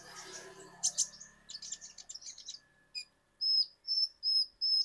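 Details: Kolibri ninja from Indonesia used as a singing lure: a scratchy run of chirps, then four clear high drawn-out whistles repeated about every half second.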